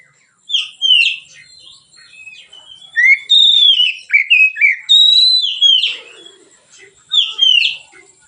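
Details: Oriental magpie-robin in easy, open song, used as a training lure for other birds: bursts of clear falling whistles and quick slurred notes separated by pauses, with a faint sound low in the background.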